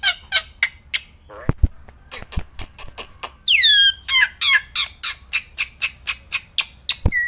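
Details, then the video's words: Black-winged myna, kept bird, singing outdoors and while held in the hand: a fast sequence of loud harsh notes with a sweeping downslurred whistle, plus low thumps from handling. "Burung Jalak Putih Gacorrrnya Edan gak ketolong"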